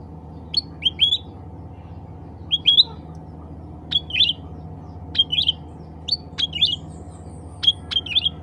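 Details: Cucak ranting bulbul calling to others of its kind: rapid clusters of bright, sharp chirps, each a quick upward flick then a clipped note, given in bursts about every second, over a faint low background hum.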